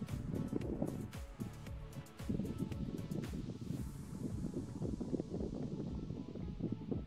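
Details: Low rumbling wind noise and muffled music-like thumps with scattered clicks, and no animal calls heard.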